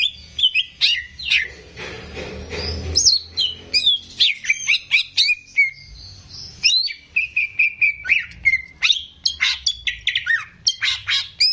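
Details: Caged greater green leafbird, a strong singer used to coach young birds: a long flowing run of sweet whistles, upslurs and quick chirps, dense stuttering notes toward the end, delivered at high pitch with little pause.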